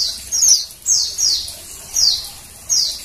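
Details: Female Oriental white-eye, whose voice is used to stimulate males to sing. About five thin, very high chirps, each sliding downward, come at uneven intervals over three seconds against a quiet background.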